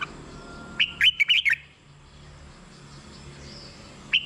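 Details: Red-whiskered bulbul song for luring or stirring caged birds: one cheerful phrase of four or five swooping whistles, then a long quiet stretch and a single note at the end.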